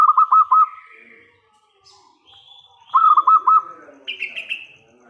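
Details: Local zebra dove in strong voice, played to lure others into answering: two phrases of quick, rolling coo notes about three seconds apart, with faint higher chirps and whistles of other birds in between.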